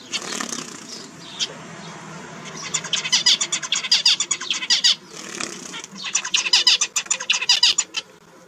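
Zebra finches sing fast runs of buzzy, nasal notes and harsh clicks, repeated in quick bursts.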